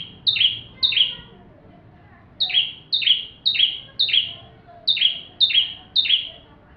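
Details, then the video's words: Bar-winged prinia full song, used as tutor material for magpie-robins: loud sharp notes each dropping from high to lower pitch, given in quick bursts of two to three about twice a second with short pauses. "Burung ciblek tamu fulll gacor cocok untuk masteran murai batu"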